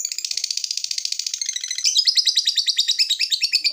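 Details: Lovebird giving a long ngekek trill, calling a rival: rapid chattering pulses at a steady fast pace, high and bright, shifting slightly higher and harsher partway through.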